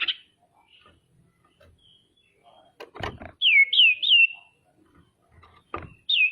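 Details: Female common iora calling to stir up rival ioras: three quick, loud down-slurred whistles in a row, then a single repeat, with sharp knocking sounds between them.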